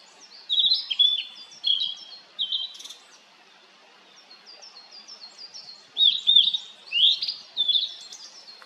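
Blue-and-white flycatcher giving clear, high whistled notes with quick slurred phrases, in bursts with short pauses; other faint chirps in the background.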